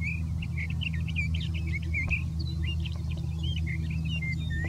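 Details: Sage thrasher in big sagebrush near Silver City, Lewis and Clark County, Montana, delivering a fast, rambling stream of looping whistles and chattered notes against a constant low hum.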